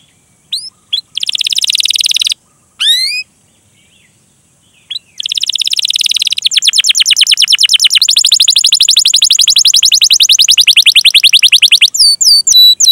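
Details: Long-duration canary song with cuit-cuit calls and rolling ('ngerol') passages, played to coax other canaries into singing; sparse chirps and a buzzy trill, a short silence, then a long rapid rolling trill to the end.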